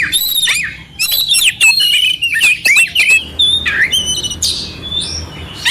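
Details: Rough-filled oriental magpie-robin song used to excite another magpie-robin: fast chattering scratchy notes and bright whistles at first, then sparser high whistles and one upslurred note, over a faint background hum.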